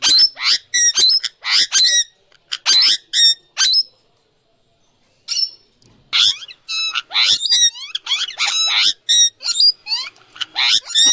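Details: Indian ringneck parrot, recorded without music or filter: loud grating screeches in rapid series, a brief quiet gap, then a dense stretch of repeated harsh calls.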